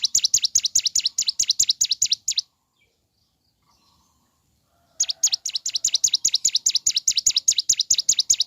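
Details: Morning song of a mountain leaf warbler, meant to stir other birds of its kind into singing; a fast, even rattle of high, thin, swooping notes runs for two seconds, pauses in silence, then resumes.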